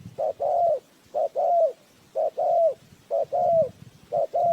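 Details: Lure spotted dove used in bird trapping, cooing five times in an even rhythm, each phrase a clipped first note and a fuller sliding second note, with soft low rustles beneath.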